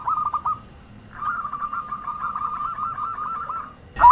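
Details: Perkutut (zebra dove) lure cooing, somewhat distant: a brief trilled coo, then a long, soft, rolling chain of looping coo notes, ending with a sudden loud burst.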